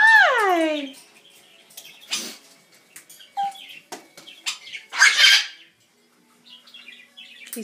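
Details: Pet Red-headed Amazon parrot screaming when its owner's back is turned: a loud descending harmonic scream opens, followed by scattered harsh squawks, clicks and a raspy burst around the middle, in a quiet room.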